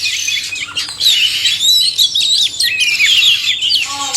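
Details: Oriental magpie-robin pair, male and female, singing a busy medley of fast twitters, slurred whistles and chattering notes, dense and continuous, with a few lower harsh notes at the end.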